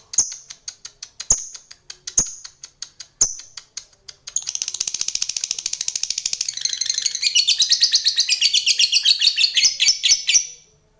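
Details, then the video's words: Laughingthrush kept as a contest bird and groomed as a champion. Sharp isolated clicks come first, then a long, fast, high-pitched rattling chatter that builds into dense, rapid, repeated pulses before stopping abruptly. "Burung ngekek calon Kongslet juara bertahan"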